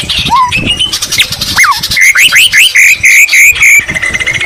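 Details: Vigorous white-rumped shama song with mimicked greater green leafbird phrases: a few varied slurred whistles, then a quick run of clear rising whistled notes repeated several times a second.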